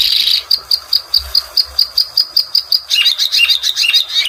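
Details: Bluethroat singing: a burst of buzzy notes, then a regular train of high sharp ticks about twice a second, shifting into a faster varied twittering with dropping notes.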